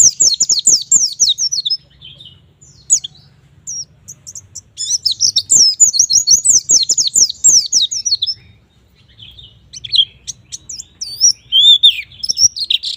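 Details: White-eye in full 'gacor nembak' song, meant to prompt young white-eyes into singing: long bursts of fast, very high, scratchy twittering, broken by short pauses and quieter single chirps, then another lively burst to the end.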